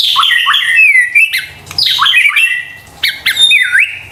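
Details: White-rumped shama lure recording for stressed or silent birds: loud bursts of harsh squawks mixed with swooping whistles and rising-falling notes, phrases separated by short gaps.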